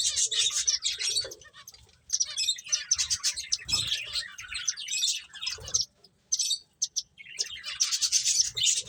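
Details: Finches chirping while eating: bursts of dense, high twittering notes from several birds, broken by short quiet gaps around two and six seconds.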